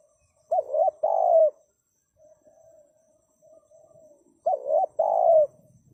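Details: Spotted dove giving two phrases, each a bent double coo and then a drawn-out coo that slides down. Faint soft cooing between them, possibly from a second dove.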